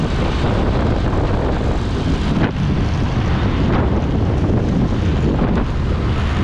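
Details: Steady roaring wind and rumbling microphone buffeting fill the whole recording, with no animal voices heard.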